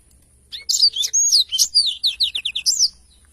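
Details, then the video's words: After a short silence, a black-throated canary in lively song for songbird tutoring bursts into quick high slurred whistles, then a run of rapid descending chirps and short trills. "blacktroath gacor cocok untuk masteran"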